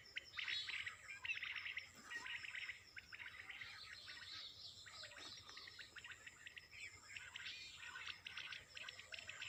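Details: Early-morning bird chorus with continuous high twittering and chirped phrases from several birds, a steady insect-like buzz in the background, no clear pauses.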